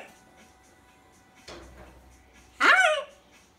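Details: One-year-old pet Rubygold Macaw talking indoors, known to say "gimme kiss" and the Romanian "ce faci"; a brief raspy burst, then a loud harsh syllable with a sharply rising and then falling pitch, over faint room hum.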